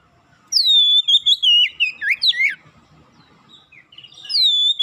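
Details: Kacer, the Oriental magpie-robin, in quick gacor singing: a clear falling whistle leading into rapid looping warbles, a quiet pause, then another high sweeping whistle begins.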